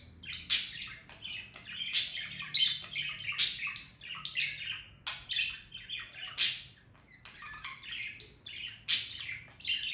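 A budgerigar warbles in a steady, high chatter of squeaks, clicks and scratchy trills, with louder sharp notes bursting out every second or two.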